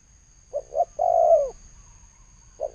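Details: One spotted dove phrase sung thổ sấm style in 2020: two short hollow hoots and a longer descending coo, the next phrase just starting; a steady high tone hums faintly throughout.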